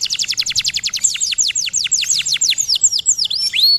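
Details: Domestic canary singing, meant to train caged birds to sing: a rapid series of about twenty clear descending whistled sweeps that slow and lengthen, finishing with a looping rising note.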